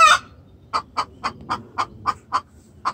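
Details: Hen's distress call to the rooster: one harsh squawk, then eight short, evenly spaced clucks about a quarter second apart.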